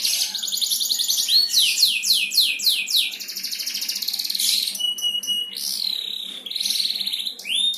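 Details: Singing champion canary, played to stir other canaries into song; sweeping downward slurred notes in quick succession, dense high trills and sharp clear whistled phrases.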